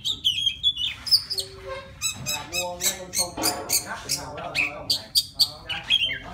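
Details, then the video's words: Wild Oriental magpie-robin singing to call a female: a varied run of sharp whistled notes and quick slurred phrases, mixed with short harsh squeaky notes and a few lower tonal buzzes. "Tiếng choè than rừng hót gọi mái"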